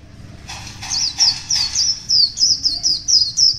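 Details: High twittering from a wild one-year-old white-eye in the morning: a few soft opening notes, then a quickening series of clear, sliding-down chirps at roughly three per second, rising slightly in loudness.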